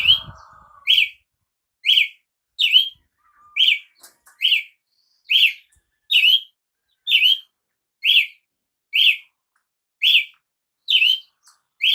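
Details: Long run of short, bright, slurred notes from a Brazilian tanager, evenly spaced at a little over one per second. A brief rustle sounds at the very start.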